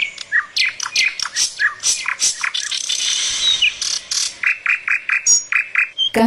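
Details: Copetón (crested bird) recorded in Guatemala, sent in as a listener's soundscape: a busy run of bright, high chirps and short whistles, repeated about twice a second, with one thin descending whistle midway.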